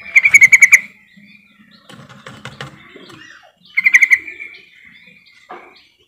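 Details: Trucukan call used as a lure to get quiet trucukan singing: loud bursts of quick chattering notes at the start and near 4 seconds, with softer twittering and clicks between.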